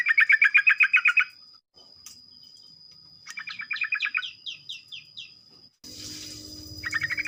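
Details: Morning song of a sooty-headed bulbul, the fast 'ropel' style meant to prompt other bulbuls to join in: quick chattering bursts, then a series of short descending whistled notes, ending with broadband noise and another rapid burst.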